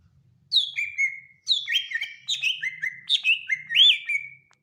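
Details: A greater green leafbird (Chloropsis sonnerati) sings loud, rich whistled phrases, a sharp high note dropping into a sliding warble, repeated about four times in quick succession; the regional variant (BWI, Kalimantan or Sumatra) is unstated.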